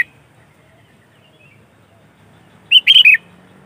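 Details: Sooty-headed bulbul, lively 'gacor' singer recorded to attract other bulbuls, gives a single crisp phrase of three or four rolling whistled notes near the end of a quiet stretch.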